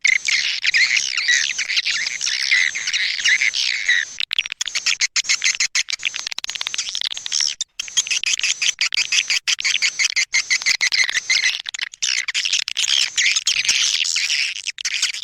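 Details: A Leyung swiftlet calling sound for attracting swiftlets, heard as a dense, layered chorus of shrill twittering chirps with steady rapid clicks running throughout, almost without pause.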